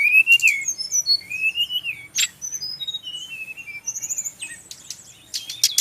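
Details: Song of a kept male Brown-chested jungle flycatcher from Bali. Opens with a long wavering whistle, then quick chirps, a sharp burst, downslurred notes and high whistles, ending in loud clicky bursts.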